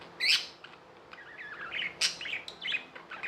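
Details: Budgerigars kept as pets give sharp high chirps and wavering twittered notes, a loud click-like chirp at the start and another midway.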